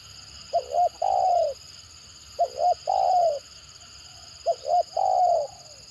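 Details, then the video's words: Stuttering 'gagap' call of a spotted dove that other birds are said to answer vigorously: three evenly spaced phrases, each a hiccuping double note and a mellow coo drooping in pitch, about two seconds apart. "Mendengar Suara Tekukur Gagap Ini Burung Lain Pasti Responnya Gacor"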